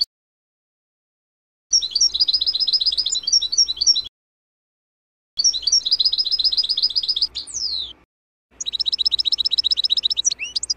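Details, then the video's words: European goldfinch in a natural song recording from 2024 season, given for young birds: three bursts of rapid, tinkling, twittering notes high in pitch, each lasting two to three seconds, separated by short silences, with a faint low hum beneath. "Chant naturel du chardonneret"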